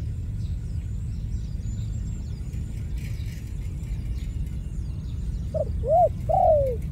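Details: Low rumbling background for most of the recording, then near the end a dove from a ground-dove trapping scene gives a short note, an arched hoot and a long falling coo.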